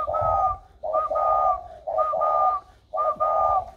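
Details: Spotted dove newly coming into a warm voice, recorded 16 February 2020: deep mellow cooing phrases repeated about once per second in four bursts, with a steady thin whistle-like tone running above each phrase.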